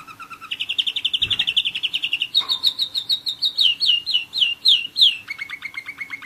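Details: One-year-old German Roller-split canary singing: a short low trill, then a long fast rolling trill, a series of rising-then-falling whistled notes about twice a second, ending in a lower rapid rattle.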